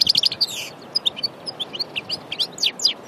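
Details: Goldfinch of Annaba origin from Aïn Barbar, Algeria, pure from nature, giving a lively series of high clear chirps and short slurred whistles, with a brief trill at the start, spaced rhythmically through the phrase.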